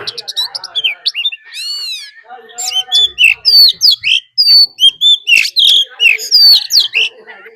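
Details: Oriental magpie-robin decoy singing a fighting song, with a wild female's call included: dense chatter, a rapid series of stacked arched notes, then loud, evenly spaced whistled phrases repeated in quick succession.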